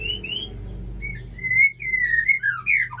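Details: Caged male Aceh white-rumped shama singing beside a female: a run of sweet slurred whistles, some rising and some falling, delivered almost without pause against a faint low background hum.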